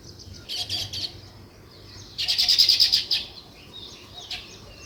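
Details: Two bursts of rapid, high sparrow chirping, a short one near the start and a louder, longer one in the middle, with quieter scattered notes between.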